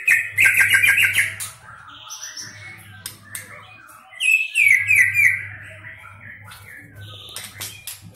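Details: White-rumped shama of the Medan variety, a caged contest bird with a repertoire including canary and lovebird phrases: fast trilled bursts of high whistles, quick rapid notes about three per second, then a brighter descending flourish; faint hum and pauses between phrases.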